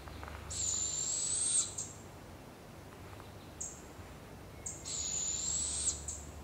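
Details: Wild barred owl with her young in Canada; two long raspy hisses, each about a second and slightly rising, separated by short high chips, over low steady background rumble.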